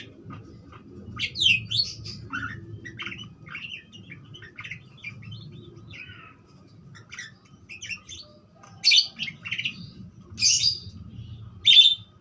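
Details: Budgerigar calling: scattered short chirps and warbled notes, a few louder harsh bursts near the end, over a low steady hum.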